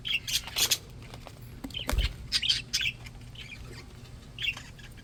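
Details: Happy, healthy pet budgies chattering: short bright chirps and tweets in quick bursts, then a pause and a few more scattered chirps, over soft clicks and rustling.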